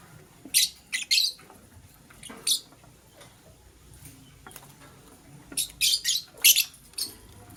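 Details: Green lovebird chirping in the morning: harsh, high, buzzy chirps in short bursts, a quick pair near the start, a single one midway and a rapid cluster of four toward the end, over a quiet background.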